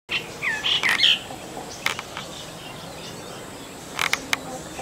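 A Brahminy starling opens with a second of gurgling, slurred whistles, then after a pause adds a few sharp clicks and chirps over a steady background hiss.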